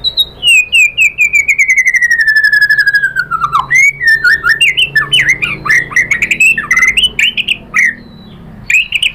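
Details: White-rumped shama singing loudly to provoke rival shamas: a long descending rattling trill of rapid repeated notes, then varied whistled slurs and chirps rising and falling, delivered in quick succession.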